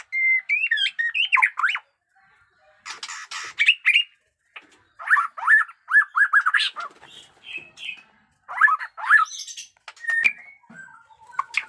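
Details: Jenggot Dewa white-rumped shama in fresh moult singing batuk koral and muntah beling: choppy bursts of quick twisting whistles and downslurred notes separated by short pauses, with a scratchy rattle early on.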